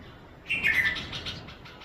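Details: Red-vented bulbul chick: a brief chirping burst, one sliding note near the middle register followed by a few quick softer chirps fading out, over faint low background noise.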